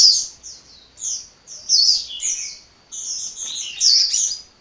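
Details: Hummingbird singing hard without stopping: clear, very high, squeaky twittered phrases, each a cluster of quick slurred notes, given in bursts roughly every second, crisp against a quiet background.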